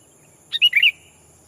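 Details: Sooty-headed bulbul used for luring wild birds, calling to a rival; a single quick phrase of a short note then three rolling, liquid notes dropping slightly in pitch.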